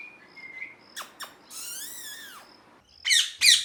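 A parrot gives a drawn-out, wavering squeal, then two harsh, loud screeches; quieter thin whistles and clicks come before them.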